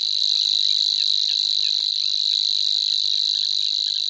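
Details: A grasshopper warbler (genus Locustella) gives a continuous, high, insect-like reeling trill that holds one steady pitch without a break through the whole clip. A few faint soft notes sit underneath.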